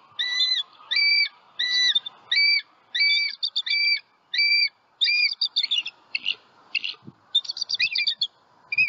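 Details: Wild American bald eagle pair at their Southwest Florida nest, live nest cam, calling on high alert after an owl struck the sleeping female and knocked her into the nest: rapid high, thin two-toned piping chirps, evenly spaced, breaking into a faster jumbled chatter.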